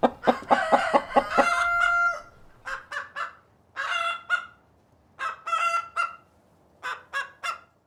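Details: Cockerel and hens on a farm: a rapid burst of clucks runs into a long sustained crow, followed by short spaced clucking notes in pairs and threes with quiet gaps between.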